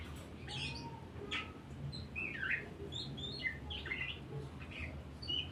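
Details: Oriental magpie-robin in song, played to push other songbirds into singing: quick varied chirps and short slurred whistles scattered through the clip, somewhat faint over a rumbling low background noise.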